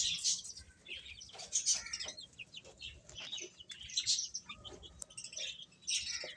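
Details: Baby chickens chirping while eating; scattered high peeps and short descending chirps from several chicks, mixed with soft clicking and pecking sounds and brief quiet gaps.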